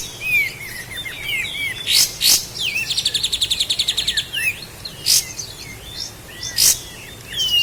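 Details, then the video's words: Sooty-headed bulbul from Lahat on a master recording for training caged birds: a lively, varied song of twisting whistles around a long rapid trill in the middle, broken by several sharp clicks. "Masteran Burung Kapas Tembak Asli LAHAT"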